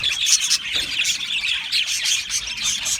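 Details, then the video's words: Australian budgie colony in an aviary, loud close chatter of shrill chirps and grating squawky notes pulsing in rapid bursts. "Australian Budgie parrot chirping sounds"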